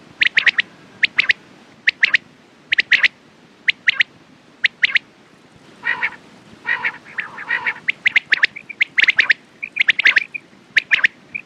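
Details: A dense series of crisp, high quail notes in clustered pairs and triplets, broken by a stretch of lower, hoarse, buzzy calls and a few short soft whistles.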